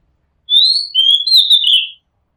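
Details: Oriental magpie-robin singing, recorded from a house rooftop: a clear, loud phrase of sweet whistles, a slightly rising slurred note, then a short lower whistle and gliding, falling notes, lasting about one and a half seconds, with a quiet background.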